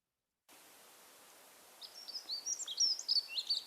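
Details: A Dunnock sings a thin, scratchy warble of quick high notes for about two seconds. It stays fairly level in pitch and volume, with no big fluctuations, over faint background hiss.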